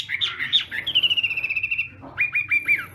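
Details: Morning contest-style singing by a Chinese hwamei: a tumble of mixed whistles, then a fast, even trill of repeated notes, followed by three or four clear repeated whistled notes.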